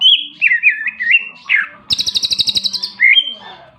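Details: Energetic greater green leafbird song: wavering, looping whistles at first, then a fast, even high-pitched rattle of about a dozen pulses and a final rising whistle.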